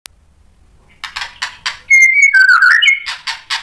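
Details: White-rumped shama song used as a lure to provoke a response: a second of faint ticks, then buzzy bursts giving way to sustained clear whistles that waver and slide up and down before more buzzy notes.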